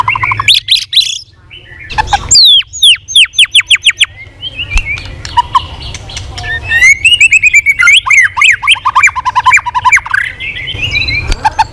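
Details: White-rumped shama singing a competitive song with many varied voices while flicking its tail: rich, fast sequence of whistled upslurs, buzzy downward sweeps and rapid chattering runs, loud bursts with brief pauses.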